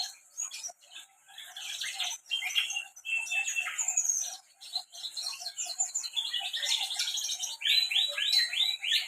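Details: Canary song from Central Java, Indonesia: a long, busy warble of twitters and buzzy trills, closing with a run of repeated sweeping notes.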